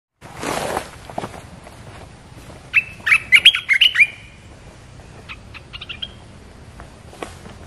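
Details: Red-whiskered bulbul lure call of a territory owner: a quick burst of bright, chirpy whistled notes, repeated several times in about a second, then a few thinner high chips, over faint background noise and rustling.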